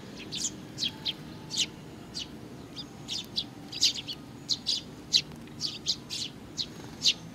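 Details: Sparrows including a chick, recorded 3 July 2019, giving short high chirps repeated roughly every half second in an even, steady run over faint background hum.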